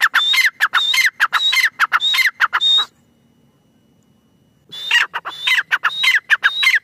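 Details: Grey francolin (teetar) calling: harsh, rapid, ringing notes with a thin whistled overtone, repeated in quick phrases for about three seconds, then a pause of nearly two seconds before the loud rhythmic calling resumes.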